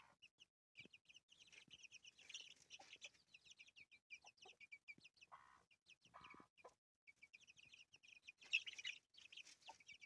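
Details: Brooding hen and her chicks: bursts of high, thin chick peeps alternate with a few deeper, broader clucks from the hen around the middle, with brief quiet gaps.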